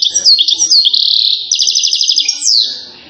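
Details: European goldfinch from Settat, Morocco, singing silsila style: an unbroken stream of quick liquid twitters and a rolling trill, ending in a downward slurred note.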